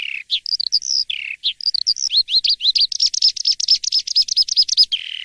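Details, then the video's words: An Asian pied starling sings in the morning: scattered whistles and low slurred notes at first, then a quickening run of rising notes that ends in a steady string of rapid high chips. "Kicau dipagi hari!! BEGINI JALAK suren yang gacor dan ngeplong di waktu pagi"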